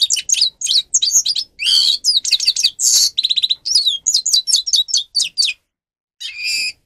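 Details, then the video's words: Song of a grey-crowned goldfinch, used to train captive birds: rapid high twitters and slurred whistles, a buzzy note and a fast rattling trill, a short pause, then one more harsh buzz. "Goldfinch song"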